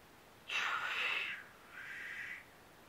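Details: Black grouse in Norwegian woods in early spring, April 2012: a harsh, breathy, sneezing hiss lasting about one second, followed after a short pause by a softer, shorter hiss, against a quiet background.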